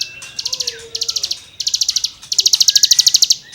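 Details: Rasping 'gesekan' song of a cigun for songbird tutoring: strings of fast, harsh pulsed buzzes in four bursts, the last longest, over faint low whistled notes.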